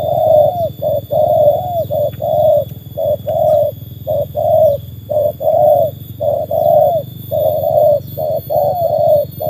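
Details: Trained Spotted Dove tested against wild birds, cooing continuously: a rhythmic run of short and long hollow notes, nearly one per second, with a constant low-pitched hum beneath.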